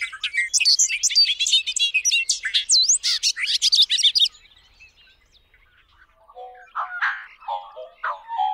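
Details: Bubbling, rapid Bobolink song: a tumbling burst of metallic, twanging notes for about four seconds, then a pause and a lower, softer run of chattering phrases.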